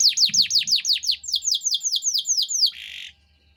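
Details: Canary song used as a tutor recording for young birds: a rapid trill of about fifteen loud, high, downward-sweeping whistled notes, steadily repeated, ending in a short buzzy rattle, then silence.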